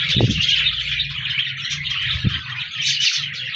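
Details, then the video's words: Budgies singing and chirping, 14 January 2024: a thick, unbroken blanket of high twittering and warbles from many birds, with two brief sharp knocks and a low hum underneath. "Budgies Birds Singing Chirping Sounds Parakeets sounds"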